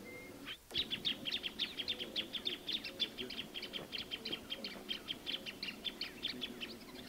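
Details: Plain thornbird song: a long, steady run of sharp high chips, about six per second, continuing for several seconds over a faint low hum of background noise.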